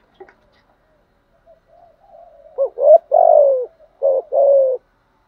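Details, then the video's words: Spotted dove cooing to stimulate caught wild doves: faint murmurs, then a phrase of short hooked notes, a long mellow coo, and two further low coos in close succession. "Tiếng chim cu gáy dùng kích bổi và tập mồi bài bản/ thúc gù, gáy gọi/ kích thích bổi nghe gáy theo"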